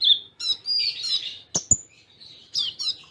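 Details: Kolibri ninja sunbird in a training recording with Cililin imitations: a high whistled note, then a rushing jumble of twittering, two sharp clicks, and a final short twittered phrase.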